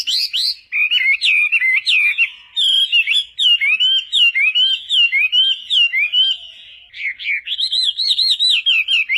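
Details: Lively wambi song meant to stimulate lazy wambi birds into singing: a long, varied stream of wavy, slurred whistles and chattering notes, briefly softening before ending in fast, looping warbles.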